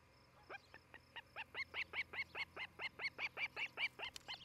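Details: Osprey at a nest near Charlo, Montana, where a pair builds a new nest in spring; a quick run of sharp, high whistled chirps, about four a second, swelling louder over a faint low hum.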